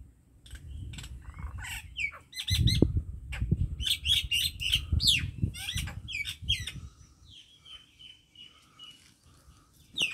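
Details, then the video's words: Common myna song from a Pakistani Punjab village: rapid jumble of harsh clicks, chirps and whistled notes over low rumbling background noise, then quieter thin whistles trailing off. "MYNA BIRD SONG / MYNA BIRD SOUND /MYNAH BIRD SINGING - MINA SOUND EFFECT- Acridotheres Tristis CHIRP"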